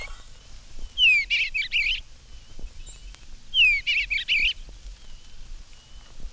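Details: On a spring morning in a garden, a male Eastern Bluebird sings from a birdhouse roof while his mate builds the nest. He gives a soft, mellow warble of two phrases, each a rising slurred whistle ending in gurgles, likened to "cheer, cheerful charmer."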